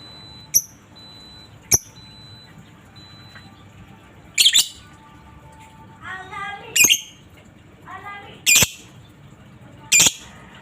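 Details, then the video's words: Lovebird, in a master recording of ngetik and ngekek calls meant to train other lovebirds to sing: scattered sharp, shrill chips, then two short harmonic chattering bursts and more piercing chips, with a low background hiss. "masteran burung Lovebird ngetik,ngekek cocok buat lb lain biar cepat gacor ,ngekek panjang"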